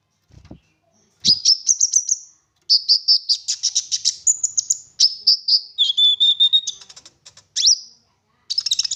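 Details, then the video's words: Olive-backed sunbird singing densely in 'full nembak' style, used to draw other sunbirds into song: long, unbroken chains of sharp high chirps and trills, a lower whistled note near the end, then another burst. "Konin Gacor Full Nembak Isian Mewah! 99% cocok Buat Pancingan konin Agar Bunyi"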